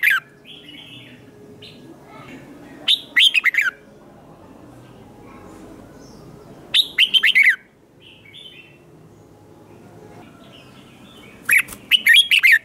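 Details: Competition-style song of a red-whiskered bulbul, played to train birds and stir newly caught ones: three brief chattering, warbling phrases spaced about four seconds apart, with near silence between them.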